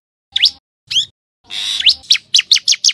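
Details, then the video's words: Common tailorbird giving sharp, high upslurred notes: a few spaced ones, then a quickening run of about five, with a brief rush of broadband noise cutting in partway. "សំទ្បេងសត្វចាបតេត | Common Tailorbird sound"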